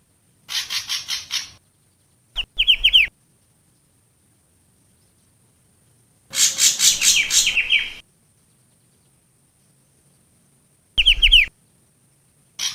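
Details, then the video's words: Long-tailed shrike song used as a lure sound: short bursts of harsh, scratchy high chatter with quick descending notes, separated by silent gaps of several seconds. "CIU BESAR SUARA PIKAT"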